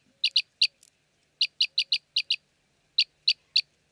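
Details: Short, high chirps from an Arabian green bee-eater in Jeddah, Saudi Arabia, given singly and in tight pairs, about thirteen notes in uneven clusters with short silences between.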